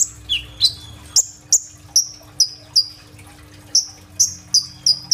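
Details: Phone-recorded kolibri ninja sunbird singing: a couple of sliding whistles, then evenly spaced, sharp high chips about every half second, each with a brief tail, over a faint hum.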